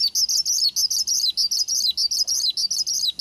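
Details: Male Javan bushlark lure song for prompting a kept bird to reply: fast, buzzy, high trilled phrases, each ending in a quick downward flick, repeated almost without pause.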